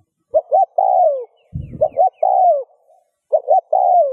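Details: Spotted dove coo played to stimulate other doves: three phrases, each two short notes followed by a long falling coo, with a brief low thud between the first two.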